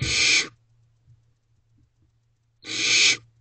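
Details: Two rasping, noisy screeches about two seconds apart from barn owl owlets in a nest box after midnight in May 2023, one owlet allopreening a sibling while another keeps a mouse; near silence between bursts.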